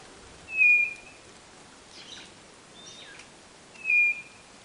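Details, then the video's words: White-bellied nothura, northeastern Brazil, giving clear, level whistled notes about three seconds apart, with faint chirps of other birds between them. "CANTO DA CODORNA DO NORDESTE"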